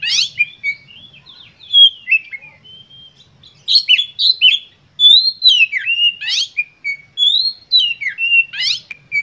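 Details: Oriental magpie-robin (kacer) singing emotionally to provoke other birds: a long run of varied whistled phrases, each ending with a sharp rasping burst roughly every two to three seconds.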